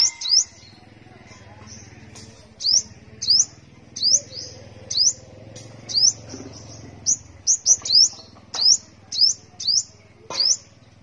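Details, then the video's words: A five-colour sunbird sings lively from a cage in Tân Phú, Đồng Nai, Vietnam: thin very high notes that sweep upward, repeated roughly every half second to second in a steady chattering series over a faint low hum. "Chim Hút Mật 5 Màu Hót Líu"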